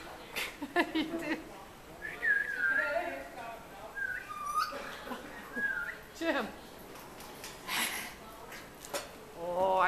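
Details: Merlin, a resident parrot at the Maritime Museum of the Atlantic in Halifax, Nova Scotia, filmed on 21 February 2012, gives several short sliding whistles and chattering notes while people talk close by indoors.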